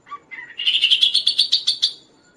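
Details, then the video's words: Lively kaso-kaso song used to train and attract other birds: a low whistle and a short slurred note, then a fast, even run of about ten bright buzzy pulses that rise slightly in pitch before fading. "suara Burung Kaso-Kaso gacor"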